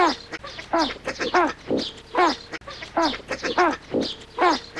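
Great white pelicans giving nasal, honking grunts in quick overlapping bursts, several birds calling at once, over a faint steady hum.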